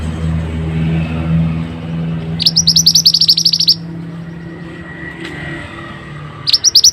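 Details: Mantenan song used as a training recording (masteran): a fast trill of high, sharp, repeated notes lasting about a second, with a second trill starting at the end, over a steady low engine-like rumble.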